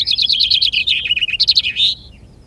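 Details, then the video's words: Common chaffinch singing at a vinkenzetting finch-singing contest in Ardooie: a bright, rapid run of descending trilled phrases that quickens into a final flourish and ends after about two seconds, followed by quiet. "Finch-singing contest"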